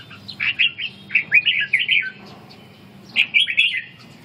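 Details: Captive red-whiskered bulbul practising ché song as stamina returns. Two phrases of fast, mellow, chattering whistles are split by a silent pause of about a second.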